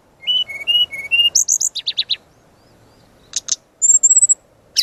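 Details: Brown-chested jungle flycatcher in full training song: alternating clear mid-pitched whistles, a run of high chips and descending strokes, a pause, then sharp buzzy notes and a rapid high trill.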